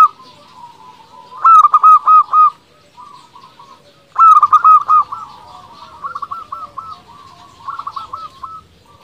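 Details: Zebra dove, a local bird singing to provoke rivals into answering. Two loud bursts come about three seconds apart, each a stuttered start followed by round coos. Fainter answering coo series follow from other doves.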